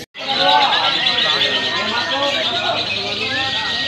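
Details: Lovebirds at a konslet-style song gathering in Bandung on 26 May 2021: dense, rapid, continuous high twittering chatter with fast chirps throughout, over a background of crowd voices and speech.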